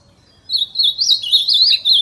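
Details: An ultramarine grosbeak, calling and singing in the wild, gives a quick warbling phrase of high, slurred whistles rising and falling for about a second and a half, over a quiet background.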